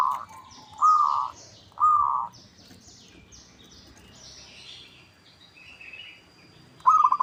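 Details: Zebra dove of local stock, recorded as a lure to prompt rival birds to reply: rolling, vibrating coo phrases come in quick pairs, then a pause before another begins, with thin high chirps from other birds behind.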